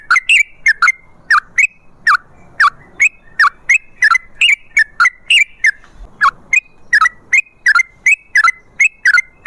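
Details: Prolific yellow-vented bulbul song meant to draw other bulbuls into singing: evenly spaced, sharp bubbly phrases, each a quick liquid twist, repeated steadily throughout.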